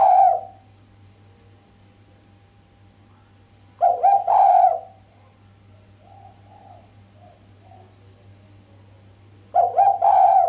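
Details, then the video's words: Female island collared dove cooing sharply with no 'kuk', exciting the male: three loud coo phrases spaced several seconds apart, softer coos between them, constant low hum behind. "Suara derkuku betina mbekur tajam tanpa kuk bikin sang jantan greget"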